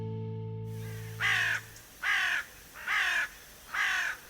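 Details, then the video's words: In a quiz on Spanish corvids, a carrion crow gives four harsh, hoarse caws, about one a second, after a brief musical jingle; the typical sound heard in films whenever something crow-like appears. "Pues esto es una corneja. Es el sonido típico que vais a escuchar en todas las películas cuando sale algo parecido a un cuervo."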